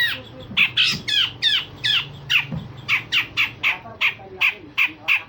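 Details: Grey-cheeked bulbul song meant to train other songbirds, featuring coarse rasping phrases and sharp 'shot' notes: steady run of harsh, squawking bursts repeated roughly three per second, with faint low background thuds.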